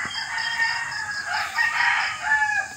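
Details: Young rooster just beginning to crow on a dark early morning that looks set for rain: a rough, harmonic crow rising and wavering over about a second and a half, with steady cricket chirping in the background.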